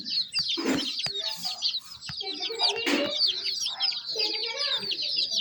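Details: Several baby chicks peeping together, with rapid high chirps tumbling over one another and occasional lower clucking sounds and knocks.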